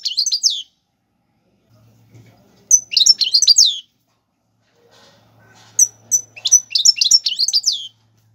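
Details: Algerian royal goldfinch singing tiwawati galoubi and serfati style phrases meant to tutor young birds: three bursts of high twittering, tinkling notes separated by short pauses, with a faint low hum between phrases.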